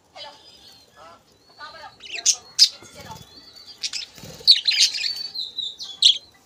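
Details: Budgerigar colony with egg-laying hens; a mix of high chirps, warbling chatter and short sharp squawks, with faint human speech in the background.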